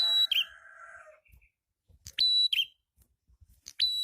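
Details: Red-headed prinia (prenjak kepala merah) song used as a lure: opens with a lower buzzy trill, then short high whistled phrases that drop into a warbled twist, repeated at roughly one-second gaps.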